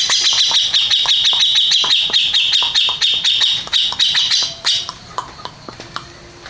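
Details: Grey-cheeked bulbul, a contest-winning bird, singing a fast run of sharp repeated notes, about four per second, then slower scattered chirps toward the end.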